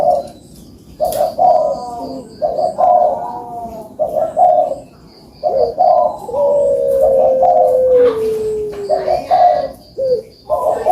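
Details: Barbary dove recording intended to coax lazy birds into calling: short throaty coo notes in clusters, one long level tone sliding slowly downward, over a low steady background hum.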